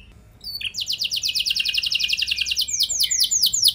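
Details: Canary singing as a lure meant to make other canaries answer with long rolling song: after a short quiet start, a fast, even, high trill runs on, then slows into steeper falling sweeps.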